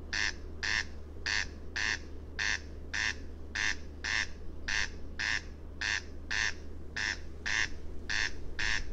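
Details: Repeated grating double calls of a corn crake (Crex crex), about eight buzzy two-note bursts in nine seconds, mechanical and regular, set against a faint background hum.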